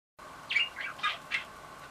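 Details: Pet budgerigar, excited by a toy, saying "daisuki da yo" (I love you): four quick chirpy, raspy syllables, slightly spaced, over a quiet indoor background hum.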